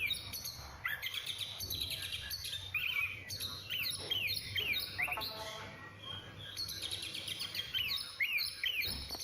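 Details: Oriental magpie-robin song: dense, overlapping whistles and chattering phrases that sweep up and down, delivered almost without pause over a steady background hiss.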